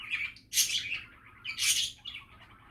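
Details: Cheerful budgerigar chatter: two loud harsh squawky bursts about a second apart, linked by softer scratchy warbling.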